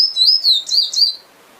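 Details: Singing finch (emprit) gives a quick run of high, slurred whistles that rise and fall several times, then falls silent for the last half second.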